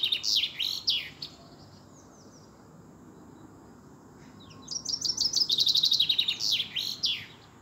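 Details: A European robin sings two high, sweet phrases of thin trills and tumbling notes, split by a quiet pause. It was recorded on Easter Monday, 13 April 2020, in the evening around sunset time.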